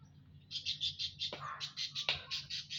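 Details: Munias in an aviary on Saturday, 19 April 2025: a quick run of short, bright chirps, about three to four a second, broken by a couple of lower sliding notes, over a faint low hum.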